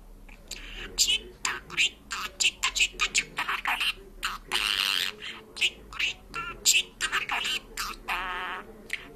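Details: Pet parrot speaking and singing in Georgian, a fast run of varied squeaky syllables and whistled phrases, rising and wavering notes, with a steady low hum beneath.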